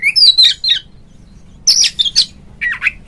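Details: Oriental magpie-robin giving an energetic ngeplong-style call meant to prompt other magpie-robins to sing; three short bursts of high, squeaky whistles and harsher chattering notes, with brief pauses between them.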